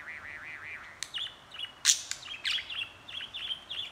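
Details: Chattering pet budgerigar on a handheld recording; a wavering, undulating warble opens, then a sharp click, followed by a string of short bright chirps at an uneven pace.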